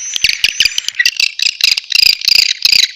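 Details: Swiftlet lure call from a natural recording meant to attract swiftlets: bursts of short, high, clicking chirps in quick clusters, with a faint steady whistle-like tone in the first second.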